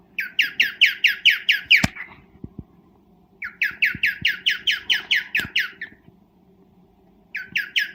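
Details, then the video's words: Mating call of a cockatiel in breeding condition: bursts of quick, scratchy chirps about two per second, broken by pauses with a few sharp clicks, then another burst and a brief restart at the end. "Cocktail mating call/sound"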